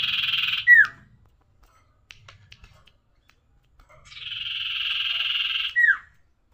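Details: Tailorbird in a lively njoros song: two long buzzy trilled phrases, each closed by a sharp falling whistle, separated by a few seconds of near silence with faint clicks.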